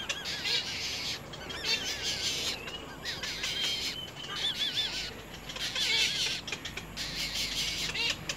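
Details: Little egret chicks at their nest, biting their mother hard, give harsh rasping bursts. Wavering whistled notes from another bird are heard throughout.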